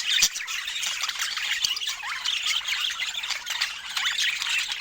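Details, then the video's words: Budgerigars at fruit time make a scratchy, chattering warble of quick squeaks and rasping notes, sustained throughout with a few louder sharp chirps. "Cute Budgie Love and Funny Sweet Sounds During Fruit Time"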